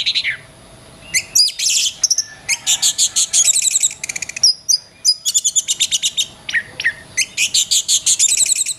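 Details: Oriental magpie-robin (kacer) song used as a master recording for training songbirds: rapid, varied high phrases of repeated sharp chips, whistled slurs and rattling trills in dense bursts, with a faint steady hum beneath.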